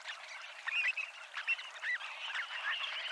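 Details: Dunlins at Abruñeiras on the Ría de Noia give a quieter stream of mixed chattering notes, with a few clearer thin whistled calls standing out above the continuous twitter.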